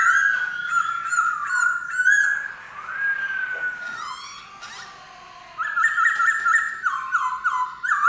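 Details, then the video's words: Black-throated laughingthrush with strong, clear whistled phrases, falling slurred notes and a long drawn whistle, a brief quiet gap, then a fresh run of evenly stepped, repeated whistles. "Khướu bạc má hót hay!"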